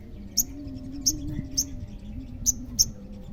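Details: Olive-backed sunbird song meant to make other sunbirds answer. Five sharp, very high chirps come at uneven intervals over a wavering low droning hum.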